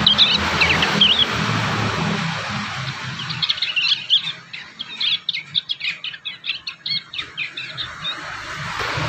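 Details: High, rapid, stuttering chirps from young prinias learning their song, clipped notes repeated several times a second in an uneven run after a few earlier whistles.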